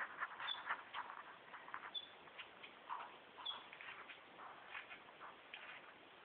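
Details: A male superb lyrebird behind bushes, performing a mimicry repertoire, gives a quiet, busy run of chattering clicks and rattles, broken by three brief high whistled notes about every one and a half seconds.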